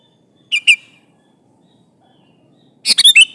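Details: Sooty-headed bulbul in full voice, summoning an opponent: first a pair of short clear chirps, then after a pause a fuller bubbling phrase of several fast notes dropping in pitch, with a quiet background.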